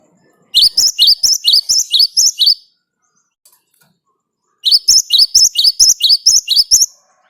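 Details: Wild great tit in full rolling 'ngerol' song, recorded for luring other birds into singing: two bursts of rapid, high two-note phrases, each about two seconds long, separated by a quiet pause.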